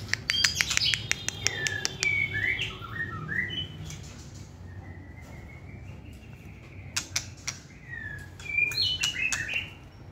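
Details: White-rumped shama kept caged for song competitions, delivering softer whistled phrases and chatter, clicking sounds at the start, a quiet lull, then renewed bursts of whistles and ticks.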